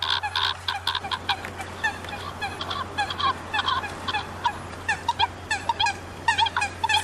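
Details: A chorus of common coots gives dense, overlapping clucks and honks, short harsh notes packed closely without a steady beat. A faint low electrical hum stays in the background.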